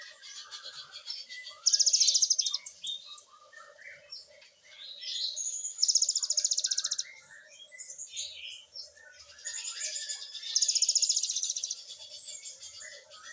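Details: Great tit (gelatik batu) in full gacor song with 'nembak' fill-ins: busy, overlapping high chatter broken by three loud, rapid buzzy trills roughly every four seconds, with a faint steady background hiss.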